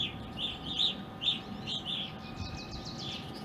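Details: Evening grosbeaks visiting a backyard in Ohio, present from winter 2020 into April 2021; several birds give short, slurred, chirping calls in quick overlapping succession, about two per second, with a steady low hum and a faint tone underneath.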